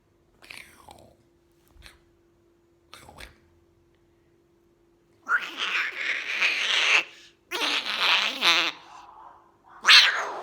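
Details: Pet young white umbrella cockatoo with blue eyes, recorded in 2020, sounding like a cat: a few faint clicks and short squeaks, then three loud, grating, drawn-out screeches from about the middle onward, with a steady low hum beneath.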